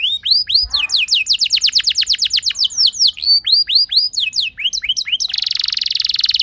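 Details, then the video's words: Singing canary used to draw other canaries into song: rapid series of curved descending whistles, some paired, ending in a buzzy fast trill. "Cukup Putar Sebentar Saja Burung Kenari Lain Bakal Langsung Ikut Gacor Ngerol Mewah Dengan Pancingan"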